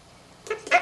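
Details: Male monk parakeet kept at home rehearsing learned words: two quick airy bursts like a blown kiss, the second stronger.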